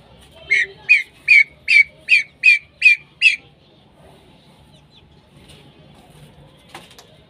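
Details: Female common pheasant giving a steady run of eight clipped, squawky notes, each sliding slightly downward, spaced under half a second apart, then silence with a faint click near the end.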